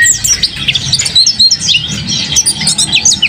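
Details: An owned mountain white-eye in lively song, delivering a dense, continuous high twitter of tiny chirps and slurred notes, with a faint low background hum.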